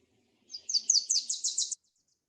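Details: Wilson's Warbler staccato song, insistent and percussive with space between notes: about seven sharp, high chipping notes in a quick series lasting just over a second, slightly accelerating toward the end.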